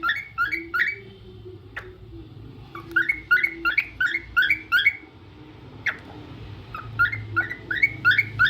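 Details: Cockatiel giving rhythmic, paired whistled chirps in repeated runs, with two sharp clicks and a low background hum between phrases.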